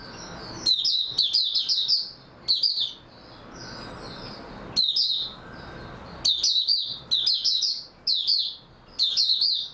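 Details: Sweet, high, tumbling warble from an oriental white-eye recorded 3 March 2022, phrases bunched in rapid series with brief pauses, a thin whistled note between bursts and steady faint hiss.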